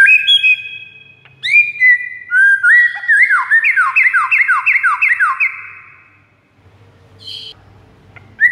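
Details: White-rumped shama master song to draw rival shamas. Sliding whistles give way to a fast series of repeated falling whistled notes, then a pause with faint low noise and a last short whistle.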